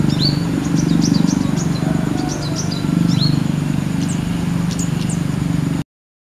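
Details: Young female brown-throated sunbird singing freely from a guava tree branch in a village in the late afternoon, calling to her companion: rapid bright high chirps and short upslurred notes, several per second, over a constant low droning hum.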